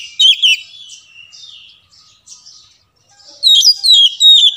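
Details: Oriental magpie-robin, called kacer, singing as a lure for birds that will not sing: a brief bright warble, a quiet pause with soft distant notes, then another burst of quick high whistled phrases.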